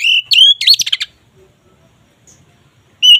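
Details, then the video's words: Oriental magpie-robin, locally kacer, in ngeplong song used to raise mating drive: a steady whistle sliding into a burst of fast chattering notes, then silence and one last short whistle. "Suara BURUNG KACER Ngeplong ini sangat ampuh untuk menaikan Birahi kacer"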